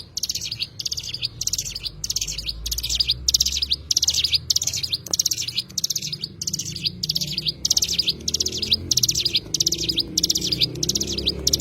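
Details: An Oriental white-eye, locally cigun, keeps up a sustained high twittering song, close to twenty short buzzy bursts at an even pace over nearly twelve seconds, with faint low rumbling behind.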